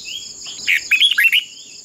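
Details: Decoy red-whiskered bulbul in a singing contest for training other birds: a brief phrase of several bright, slurred whistled notes after a faint lead-in, with a steady high insect-like drone behind.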